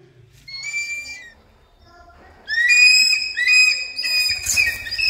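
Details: Training session with a hawk-eagle: a short high whistle, a quiet gap, then a long loud stretch of overlapping shrill squealing calls growing harsher toward the end.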